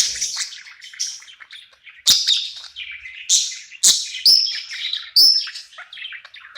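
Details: Budgerigar singing and chirping at night, happy in its new home; a chattering warble of buzzy, scratchy notes punctuated by loud sharp clicks and whistled chirps roughly every second.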